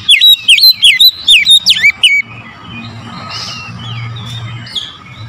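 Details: Oriental magpie-robin singing in the morning as a lure for other birds: a fast run of about ten loud, swooping whistled notes, then soft, distant warbles.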